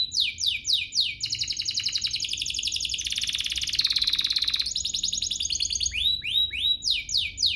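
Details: Singing canary used to coax other canaries into song: descending swooped notes, a long rich rapid trill that rises then falls, then more rising and falling slurred phrases.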